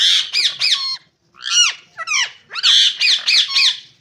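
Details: Rose-ringed parakeets giving loud harsh squawks, arched screeching notes in quick runs of two to four with short pauses between bursts.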